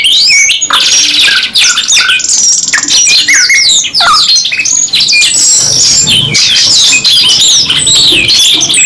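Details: Canary duet, two birds delivering long rolling trills and bursts of sharp rising and falling chirps, a buzzy sustained roll near the start, song running almost without pause.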